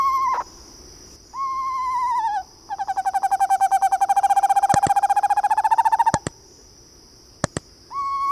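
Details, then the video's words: Eastern screech owl calling: short steady whistled notes, then a long rapid tremolo trill rising slightly in pitch over about three seconds, followed by sharp clicks and another brief whistled note; a faint steady high hum behind. "Eastern Screech Owl Sounds: Learn their TWO haunting calls!"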